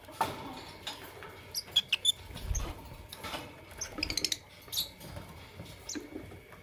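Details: Lovebirds, Fischer's and masked, in the morning: sharp, shrill squeaky chirps, a close pair then a quick burst of several and a later single note, over a steady low background hum.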